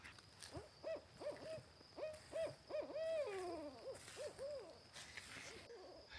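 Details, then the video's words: Wild pair of barred owls still calling back and forth at 9 in the morning, sorting out territory and keeping in touch as mates, heard from a quarter mile away. Rounded, arching hoots repeat rapidly, one ending in a long descending slur, over faint background hiss. "I'm a quarter mile away and those barred owls are still going at it."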